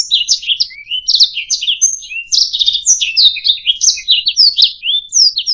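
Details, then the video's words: Singing canary on a training track for songbirds: bright warbling phrases of sweeping chirps, a clear level whistle after one second, then faster twittering runs and gliding notes, with faint low clicks in the background. "SUARA MASTERAN - Ocehan Burung Kenari"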